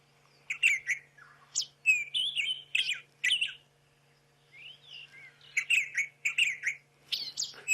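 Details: A White-throated robin-chat in the Sabi Sand, South Africa, at sunrise in September sings rich, varied, fast phrases of sweet whistles and chirps in bursts, with a short pause midway, over a faint low hum.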